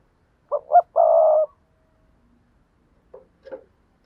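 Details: Spotted dove kept as a lure bird, giving one full coo of two short notes and a long level burr, then a pause and two faint short notes.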